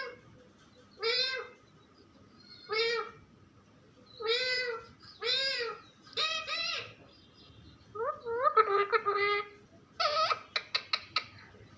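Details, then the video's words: Parrot kept as a pet repeats short nasal, meow-like harmonic calls about every one to two seconds, ending in a quick burst of clipped chatter. "Funny parrot talking video"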